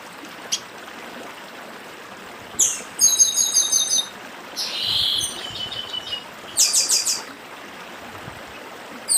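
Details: Stream-side 'dedim' singing by a papa-arroz do Nordeste, the chestnut-capped blackbird: a quick chattering burst of high ringing notes, a harsh rasping phrase, then a shorter burst of rapid pulsed notes, all above steady running water.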